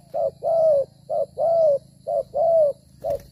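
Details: Spotted dove cooing during dove trapping in Vietnam, the decoy bird cooing as it moves and fights; clear low mellow coos alternating short and long notes, about one per second, with a faint steady hum underneath.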